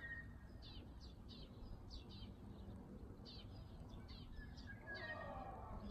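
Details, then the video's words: A bird of unknown species, commonly heard in early summer in a home yard and neighbourhood alleys, giving a series of quick high descending chirps in uneven bursts, over low rumbling noise that swells near the end. "초여름에 자주 듣는 이름모를 새소리"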